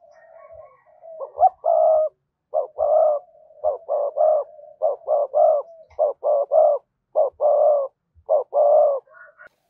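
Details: Spotted dove cooing used to lure wild doves: a rapid, dense run of repeated phrases with short notes and sustained coos, nearly continuous, with faint low knocks underneath.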